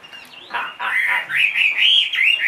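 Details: Caged two-and-a-half-year-old Chinese hwamei, a big bird said to sing in any setting, giving a short burst of harsh notes followed by clear rising whistles that loop upward.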